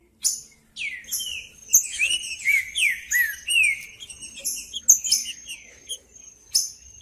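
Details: Green-winged saltator song played to stimulate cold saltators: repeated descending slurred whistles in a steady flowing phrase, over a thin steady high tone and scattered sharp clicks.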